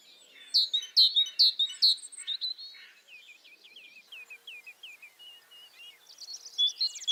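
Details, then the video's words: Four clear, sharp descending notes from a tit open the recording, followed by quieter, lower tinkling phrases and high chatter from other birds toward the end. "ЗВУК СИНИЦІ | Який звук видає синичка"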